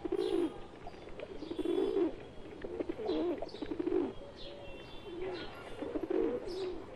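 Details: Pigeons, wild flock plus one domestic bird, in continuous overlapping cooing: throaty, rolling low phrases repeating every second or so, with occasional faint higher chirps.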